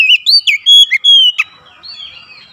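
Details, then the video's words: Oriental magpie-robin singing to provoke other magpie-robins: a rapid string of sweet, slurred whistles, one held steady, ending in a soft fading warble. "PANCINGAN KACER langsung gacor ngotot"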